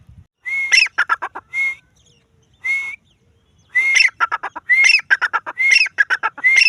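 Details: Female grey francolin, locally called Dakhni teetar: bursts of harsh, rapidly repeated clucking notes, each with a bright whistled tone near the start. The bursts come in irregular runs with short silent gaps between them.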